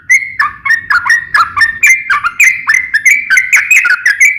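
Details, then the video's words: Sooty-headed bulbul (trucukan) in lively nembak ropel ngeplong song: a continuous string of bright, clear, slurred whistles, about three per second, rising and dipping, with a faint low hum behind. "KICAU SUARA trucukan gacor NEMBAK ROPEL NGEPLONG"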